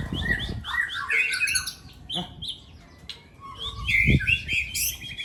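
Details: At an Aceh bird-singing contest, a caged Aceh white-rumped shama delivers varied whistled and warbled phrases with quick slurs, a pause, then more bright notes; a thump and faint talking in between.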